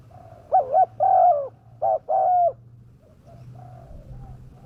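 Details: Spotted dove lure recording meant to attract wild doves, with a fierce-sounding voice. It gives two paired coo phrases, each a short note then a longer mellow note, with softer, fainter coos afterward and a low background hum.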